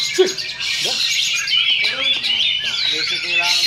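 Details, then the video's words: Caged Oriental magpie-robin in a practice contest duel at Sindanglaut, Indonesia, pouring out dense, continuous, high whistled and chattering song, with human shouts and whistles rising and falling underneath. "Oriental Magpie Robin Singing Contest"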